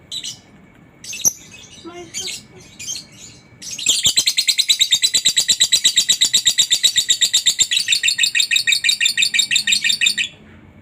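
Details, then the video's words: Lovebird in long ngekek and ngetik style, used as a master recording to make other lovebirds sing quickly: a few scattered chirps, then from about four seconds a loud, rapid, steady chattering trill of high buzzy pulses lasting over six seconds. "masteran burung Lovebird ngetik,ngekek cocok buat lb lain biar cepat gacor ,ngekek panjang"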